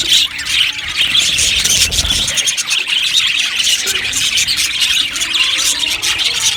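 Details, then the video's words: Many budgerigars chattering together in an aviary, a steady bright mass of twittering and squeaky notes with no gaps, plus a brief low rumble near the start. "Amazing Budgies chirping sounds | Budgies parakeets sounds"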